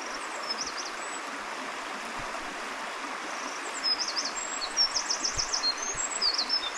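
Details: Eurasian Wren singing by a mountain stream at Takao on 30 March: rapid, very high, sharp trills and twittering notes in quick bursts, strongest in the second half, half-buried under the steady rush of the stream.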